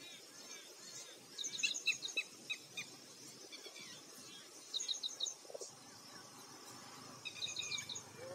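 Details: In Maharashtra, India, a red-wattled lapwing (Vanellus indicus) gives three bursts of sharp, shrill notes, each a quick run of piercing calls, over a steady background hiss.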